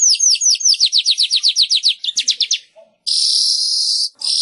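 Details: Weaver vocalizing to encourage caged birds to sing again: a brisk series of bright, downslurred chip notes about five per second, then a drawn-out hissing buzz.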